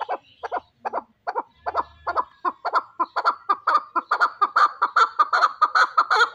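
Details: Kept for fighting, a chukar partridge begins with slow paired chuck notes and speeds up into a dense, rolling, repeated chukar chatter that grows louder toward the end.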